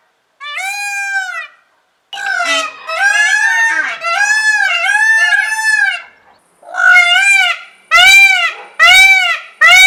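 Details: A peacock screams again and again, its loud nasal wails bunched into rapid runs of arched, harmonic cries. One early call stands alone, followed by a dense series and then sharper, separated blasts near the end.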